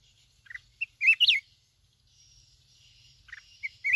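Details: Wild Red-whiskered bulbul in Bình Thuận, lured by trapping, gives a few short bright chirping notes, with a quick cluster of sharp slurred whistles at about one second and more at the end.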